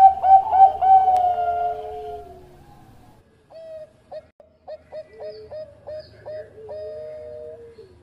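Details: Zebra dove (perkutut), Bangkok type, recorded as a master track for training other doves: a loud tonal cooing phrase with a warbling start, then a softer run of about a dozen short clipped notes ending in a long drawn tone.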